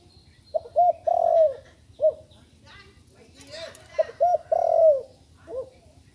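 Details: Spotted dove that has just started learning to call. It gives two low, mellow phrases, each two short hoots, a drawn-out falling coo and a trailing hoot, about three seconds apart, with a brief burst of other bird chatter between.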